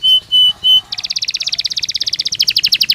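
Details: Belgian canary song played as a training stimulus to warm up and encourage canaries to sing: three steady high whistled notes, then a fast even trill of rapid chips that rises into a brighter, higher-pitched rolling tour.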